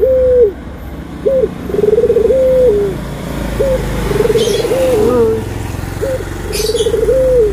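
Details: Loud cooing from a Barbary dove, white and brown birds compared: short rising notes, each followed by a long trilled coo that levels off and drops, repeated three times; faint clicks in the background.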